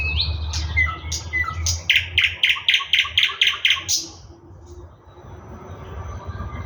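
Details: Song of a thrush nightingale. A few soft whistles lead into a loud, rapid series of about eight sharp, knocking clicks, then the bird falls quiet over a low background rumble.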